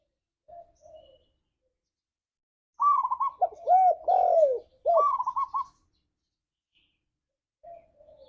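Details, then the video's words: Tekukur, the spotted dove, in a lure recording meant to make pet doves sing; one full phrase opening with a rapid trill, then three deep, swelling coos and a closing trill, with softer coos before and after. "Suara Burung Tekukur Ini Pancingan Tekukur Gacor Suara Ngalas"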